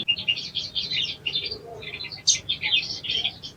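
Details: {'caption': 'Sogon (ruby-cheeked sunbird) singing a continuous stream of high, thin twittering notes that rise and fall quickly, with a faint low hum in the background.'}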